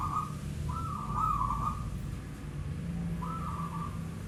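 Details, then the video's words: Nighttime calling of a local zebra dove: a brief coo followed by a longer rolling, trilled phrase, then a pause and another trilled coo, with low rumbling behind. "perkutut bunyi Malam hari"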